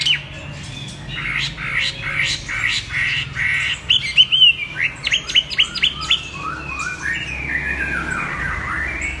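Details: A Chinese hwamei delivers clipped repeated chirps, then a fast series of bright upslurred whistles and descending warbles, over faint low rumble.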